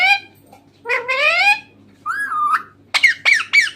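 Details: Talking green parrot indoors: a series of slurred, voice-like syllables rising and falling in pitch, one smooth wavering whistle, then three quick sharp squawked notes, with a constant low hum behind.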